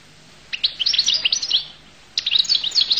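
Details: Goldfinch described as of the Collo (al-Qull) type, singing two bursts of rapid, bright twittering notes with quick up-and-down slurs, separated by a brief pause.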